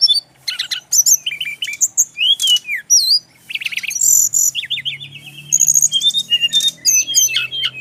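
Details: Male brown-chested jungle flycatcher song used for training birds: dense, continuous medley of high chirps, twisting whistles, repeated short notes and buzzy rattles.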